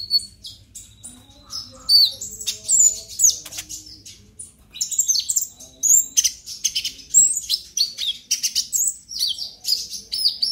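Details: Excited ngobra emosi song of a purple-throated sunbird, a brown-breasted young bird past its spotted stage, used as a lure to make other konin sing. Quick strings of high, piercing twitters and downslurred notes run on with brief gaps.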